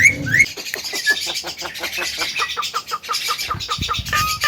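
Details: Javan myna singing vigorously: a steady run of harsh, buzzy, chattering notes, about three per second, opening with a couple of short rising whistles and ending on a brief clear whistle.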